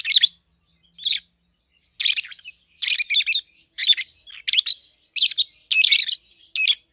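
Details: Captive-bred pair of peach-faced lovebirds, red-headed green opaline and red-faced dark green, seven to eight months old, calling in a steady series of shrill, scratchy chirps that grow denser and more frequent toward the end.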